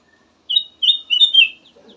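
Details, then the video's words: Melodious song of a black-headed bulbul, used to prompt other birds to sing. Four bright whistled notes run together into one warbling phrase that wavers and falls slightly, followed by faint low chatter. "VARIASI KICAUAN BURUNG KUTILANG EMAS SYAHDU DAN COCOK BUAT PANCINGAN"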